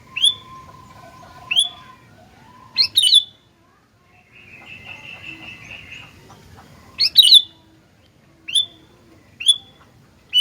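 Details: Sooty-headed bulbul, called gentilang locally, in lively song: scattered bright whistled notes and a chirpy double burst, interrupted midway by a buzzy, droning sound lasting about two seconds, then more spaced whistled notes.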